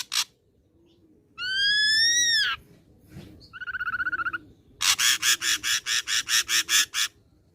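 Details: Young wild-caught ashy drongo singing: a loud, arched whistled note with rich overtones, then a shorter series of quick whistles, and finally a fast burst of about a dozen harsh, buzzy pulses.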